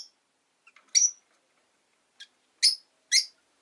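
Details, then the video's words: Rosy-faced lovebirds, five caged indoors beside a window in the afternoon, utter short, bright, high chirps, four loud ones within under four seconds, separated by silence. "Lovebird Chirping Sounds"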